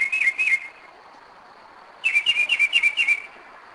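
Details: Northern mockingbird singing at night, 2am, Kennesaw, Georgia, 2011: two wavering whistled notes, a pause of about 1.5 seconds, then a fast string of six repeated sliding whistles over a low steady hum.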